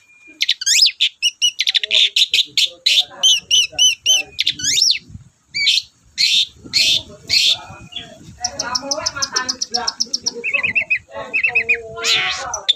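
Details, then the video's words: A Long-tailed shrike sings loudly and without pause to stimulate other shrikes: dense, varied high phrases, with fast repeated chips, rising whistles and stuttering trills, then mixed chattering and warbling. "BURUNG CENDET GACOR DORR, BIANGNYA PANCINGAN CENDET LOYO"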